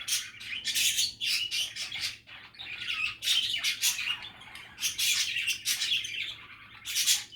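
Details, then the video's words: Several budgerigars keep up lively chatter, mixing squawky rasps, clicks and twittering notes in uneven bursts roughly every two seconds, a low hum in the background. "Happy and relaxing budgie chatter"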